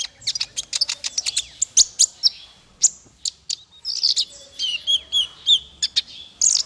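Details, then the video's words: Melodious training song for small fighter birds: dense high chirping and twittering, then a sequence of short, falling, slurred whistles repeated several times. "Masteran paling merdu untuk burung faigter kecil"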